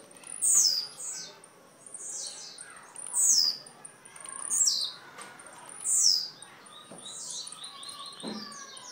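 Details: Young blue-black grassquit from Jacarepaguá, Rio de Janeiro, giving short, high, buzzy, downslurred song phrases. There are four in about nine seconds, roughly one every three seconds, with faint softer chirps in between.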